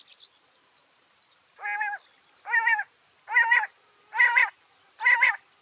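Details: Backyard bird in Washington State giving harsh, nasal, raspy calls, each under half a second, five in a row at an even pace of a little over one per second, with a quiet background.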